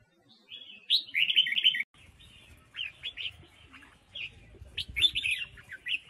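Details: Female red-whiskered bulbul from Huế singing to stir wild-caught males: a loud warbled phrase of bright, quick notes, a pause, then softer scattered chirping phrases over a low rumbling background.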